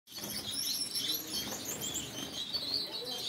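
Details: A yellow Gouldian finch sings a thin, high, hissing and buzzy warble among steady chirping from other small birds, with a faint low hum beneath.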